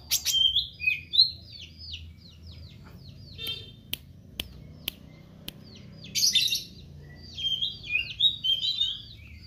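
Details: Meranti bird singing actively: quick bursts of high, thin chirps and downslurred whistled notes, sputtering in clusters with short pauses, broken by a few sharp clicks.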